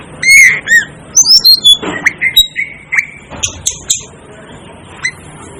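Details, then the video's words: Asian glossy starling, known as the 'devil' bird, giving a loud ringing squawk, then a rapid run of short high metallic notes and a few harsher calls. "'DEVIL ' BIRD CALL || Asian Glossy Starling Calls Aplonis Panayensis"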